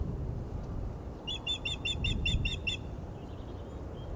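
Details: Female osprey at the Glaslyn nest, 14 April 2021, protesting an unringed male on the perch: a tight run of about eight piercing chirps in just over a second, then faint softer notes, with low background rumble.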